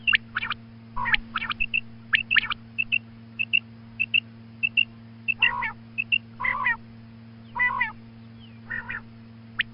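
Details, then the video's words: Female quail heard calling at dawn: repeated pairs of short, high, piping chirps alternate with lower nasal, buzzy notes spaced about a second apart, over a persistent low hum. "Female Quail Calling Suba Lagty waqte Ki Awaz Female Batair Calling"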